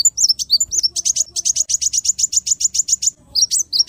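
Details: Small bird delivering a fast 'tembakan' burst song: a steady, rapid string of high, clipped chirps, roughly six per second, opening and closing with a few varied twittering notes.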